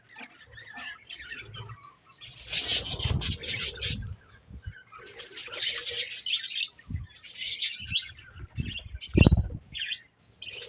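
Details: Budgerigar colony heard in bursts of loud overlapping scratchy chatter and squawks, separated by quieter gaps filled with low thuds, knocks and fluttering.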